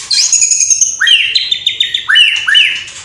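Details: Murai batu, the white-rumped shama, in full energetic song packed with imitations of sparrows, quarrelling lovebirds and kapas tembak: loud, rich whistled phrases, a long high note, then repeated swooping upslurred whistles about every half second.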